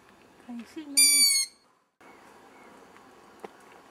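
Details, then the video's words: Owl chick hidden in a tree about 100 metres from a terrace, recorded in low light, gives one loud squealing scream rich in harmonics, lasting about half a second, after faint low tones; quiet background follows. "Owl chick makes a lot of noise - Uilskuiken maakt herrie"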